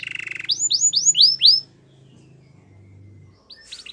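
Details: Belgian canary singing: a short buzzy trill, then five quick descending whistled sweeps in a row, a pause with faint low hum, and a brief burst of notes at the end.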